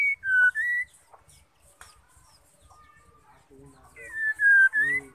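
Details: Female white-rumped shama, whose call spurs males into song: short whistled phrases that slide down then up, in two groups separated by a quiet stretch with faint clicks, plus some lower hooting tones.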